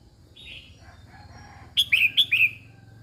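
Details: Female red-whiskered bulbul calling to excite males, beginning with faint rustling and murmuring, then bursting into three clear, sharply falling whistled notes in fast succession.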